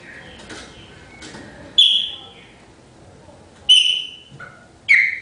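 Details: Chopi blackbird giving three loud, clear whistled notes with ringing overtones, spaced about one to two seconds apart. Faint murmuring voices are audible in the background before the first note.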